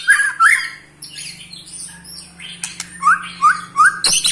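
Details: White-rumped shama, an eight-month-old pastol male in a cage, trilling to provoke other shamas; harsh rasping notes open the phrase, followed by a run of three rising whistled slurs, with a faint low hum behind.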